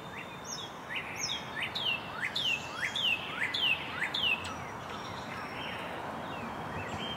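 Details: American robin (Turdus migratorius) nest, adults feeding nestlings: a burst of high, sharp chirps, some sliding upward and some dropping steeply, repeated roughly every half second for four seconds before fading to quiet outdoor hiss.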